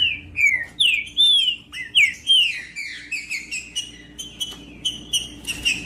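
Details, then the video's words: A green-winged saltator sings, a recording meant to warm up cold birds so they sing firmly: a long, fast series of loud, sweet whistled notes, each slurring downward, gradually turning into shorter, softer chirps. "O MELHOR VÍDEO PARA ESQUENTAR TRINCA FERRO FRIO COM TRINCA FERRO CANTANDO"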